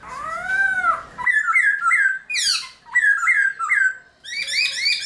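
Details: Caged black-throated laughingthrush (Garrulax chinensis) singing its forest-voice style in early morning: a long arched whistle, then repeated clear rising-falling whistled phrases with sharp buzzy descending sweeps and a rapid chattering burst at the end.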